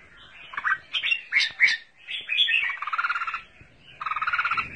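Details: Double-voice song of an apricot-coloured ('mơ') red-whiskered bulbul: loud, punchy whistled notes in quick succession, then fast rattling trills repeated in two bursts.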